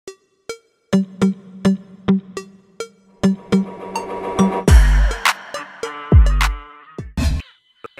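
A beat-driven music track with punchy drum hits and bass, with no animal calls audible.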